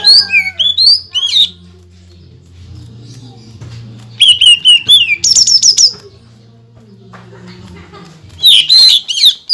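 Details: Greater green leafbird singing to rile up other leafbirds, with mimicked phrases and rapid shots: bright whistled slurs and trills in three loud bursts, separated by gaps where a steady low hum continues.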